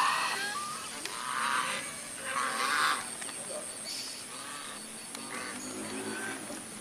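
A white domestic goose gives harsh, nasal honks in short bursts, about every second or so, over a steady background hiss.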